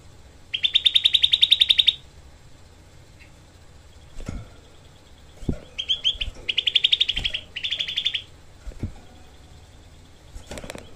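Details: Grey-cheeked bulbul, a small bird, giving its dense, harsh 'tembakan' shot phrases: a long rapid buzzy trill for about 1.5 seconds, then after a pause two shorter bursts of rapid harsh notes, with faint clicks between.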